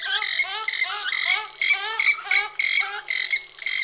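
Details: Purple swamphen, several pairs calling: a rapid run of harsh, honking and squealing nasal notes with bright harmonics, repeated about two or three times a second with uneven rhythm.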